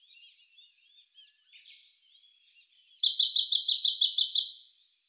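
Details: Siberian blue robin song, May 2021, recorded with a Sony A1 camera: soft high ticking notes at a steady pace, about three per second, then a loud, rapid, trilling rattle for nearly two seconds.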